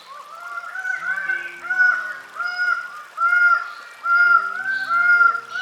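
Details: Greater birds-of-paradise, from New Guinea: loud, nasal, honking calls from several birds overlap in a steady chorus, about once a second, with faint low musical tones underneath.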